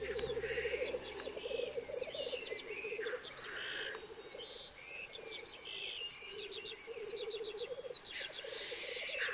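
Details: Black grouse males on their singing arena in 2023, a courtship ground of fights and matings: low bubbling rookoo phrases with repeated hissing sneezes, and other birds chirping and whistling high above.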